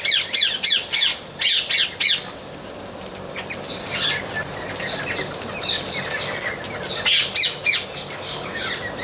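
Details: Amazon parrot calling: harsh, harmonic-rich squawks in a rapid series over the first two seconds and again near the seventh second, set against a steady background of many other birds chirping.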